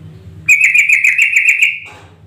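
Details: A yellow-vented bulbul gives a fast, bubbly chatter of about a dozen bright notes in just over a second over a low hum. It is a call meant as a lure to provoke other bulbuls into active, answering song.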